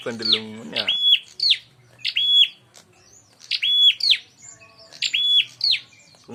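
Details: Bar-winged prinia calling as bait to draw a rival into a fight: high, sharply falling chirps, each joined to a brief level note, repeated roughly every second, after a short burst of low, buzzy noise.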